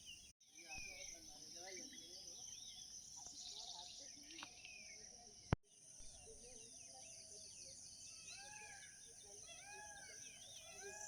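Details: A busy sunrise chorus of several birds at a village near Vansda (Vanarsi) gives repeated short arched chirps and twittering notes, with faint voices, background hiss and two sharp knocks.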